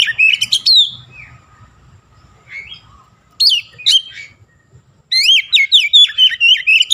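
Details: Oriental magpie-robin in lively song stuffed with Javan myna mimicry: loud whistled phrases, then a pause, then rapid zigzag whistles repeated about twice a second to the end.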